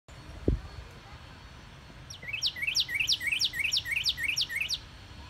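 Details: Northern cardinal singing in a yard on March 29, 2019: after two quiet seconds, a run of about eight rapid, clear slurred notes, each rising then sharply dropping, repeated roughly three times per second; a low thump early on.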